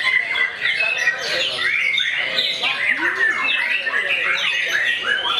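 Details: White-rumped shama actively attacking a rival, pouring out a dense, rapid song of sharp whistled notes, chattering trills and quick up-and-down slurs, with voices and other bird sounds mixed in the background.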